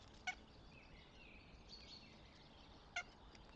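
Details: Goshawk pair at a nest in Tartu, Estonia, 26 April 2025. Two abrupt, clipped, ringing calls about three seconds apart stand out over soft, distant bird song and a steady low hiss.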